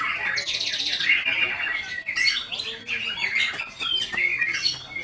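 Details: White-rumped shama opening with a fast buzzy trill, then clear whistled notes and sharp chips in quick, varied succession, each phrase bright and high-pitched.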